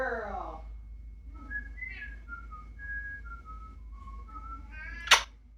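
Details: Captive female grey parrot at home clowning around: a falling harmonic squawk opens, then a string of pure whistled notes stepping up and down like a little melody, ending in a rising harmonic call and a sharp click.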